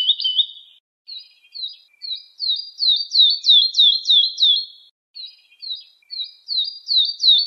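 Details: Woodlark song in two phrases, each starting soft and building into loud, falling, liquid notes repeated steadily, separated by a short gap.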